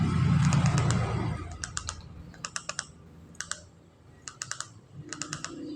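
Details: Sharp, dry clicking like keyboard typing comes in quick bursts, after a low rumbling murmur in the first second. No animal voice is heard.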